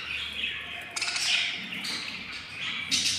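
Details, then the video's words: Hungry albino lovebird chicks from four hatched eggs, day 15, beg with a steady high, raspy hiss, swelling into louder harsh bursts near the start and end. "hatching 04 albino lovebirds eggs and they are very hungry"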